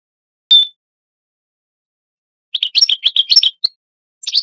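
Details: European goldfinch kept as a tutor for young goldfinches: a single clear whistled note, then after a pause a short string of liquid chirps and twitters, and one more brief chirp at the end.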